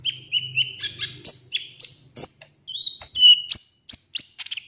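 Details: Golden-fronted leafbird pouring out a varied song used as a lure: repeated whistled notes at one pitch, upward-flicking slurs and sharp high chips, each about half a second apart, with a faint low hum early on.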